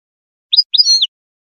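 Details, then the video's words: Female European goldfinch singing in breeding season, a song said to spur males to sing and mate: two quick bursts of bright, high, liquid twittering notes, the second longer and warbled. "la femelle chardonneret qui chante"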